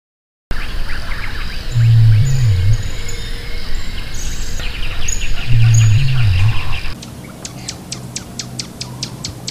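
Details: Greater rhea uttering two deep, wavering booms about four seconds apart, each humming low and dipping at the end, amid busy chirping and twittering of other birds, then a run of sharp rapid ticks.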